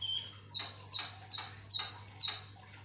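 A Javan myna sings a run of five harsh, raspy notes that slide downward, about two per second, after a couple of brief high whistles; a faint low hum underneath.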